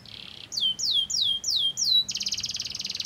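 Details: Canary singing a lure song to get other canaries singing: a short buzzy burst, then five clear descending whistled sweeps, then a fast, rapid-fire high trill.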